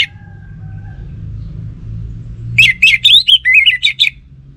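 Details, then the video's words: Orange-headed thrush, a kept songbird, delivers a short burst of rapid chirped notes after a quiet start with faint low hum, the notes jumping between mid and high pitches. "Burung ANIS MERAH Lansung Nyaut Gacor Tanpa Henti"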